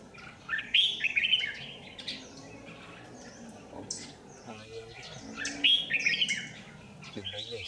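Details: Red-whiskered bulbul lure bird at a power-line trap on 27 January 2019, giving two separated bursts of tumbling warbled notes, with soft human voice fragments in between.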